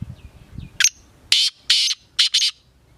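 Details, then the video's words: Black francolin calling: a short rising note, then four harsh, grating bursts in quick succession, loud and high-pitched, over a quiet background with faint low thumps. "Black francolins"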